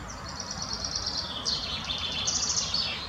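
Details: Spotted flycatcher calling in the Botanical Garden in Munich: thin, very high chirps run together into squeaky phrases over about three seconds, with a soft low rumble underneath.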